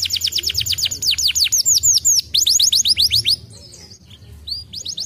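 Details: Stimulating canary song: quick rolling series of high falling whistles, a short gap, another trill fading out near the end with a few soft notes returning; quiet low hum underneath.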